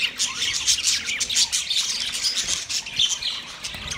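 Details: Yellow male budgie chirping in a mating display: rapid, continuous high warbling of squeaks, short rising whistles and buzzy notes, uneven in rhythm, with no other sounds standing out.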